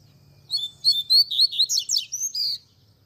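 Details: Double-collared seedeater delivering the tui tui zel zel song used for training young birds: a two-second run of about ten high, clear whistled slurs, some rising, some falling steeply, growing buzzier mid-phrase, against quiet background.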